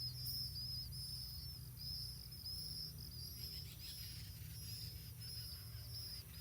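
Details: Blue-winged pitta fledglings near the nest, fed by both parents, with a high thin note repeated at a steady pace, about one and a half per second. A constant high insect-like hum runs beneath, and there is low rumbling background noise.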